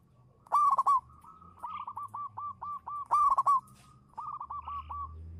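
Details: Local zebra dove (perkutut lokal) lure bird in manggung song: two loud rolling coo bursts about two and a half seconds apart, each trailed by six or seven soft hooked coo notes, with low background hum.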